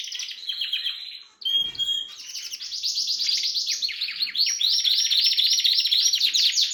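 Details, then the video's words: Caged Harz canary sings among red and variegated birds: dense rapid trills, a brief break after one second, then rhythmic repeated phrases of quick pulsed notes that grow louder toward the end. "Harz canary sings with red and variegated"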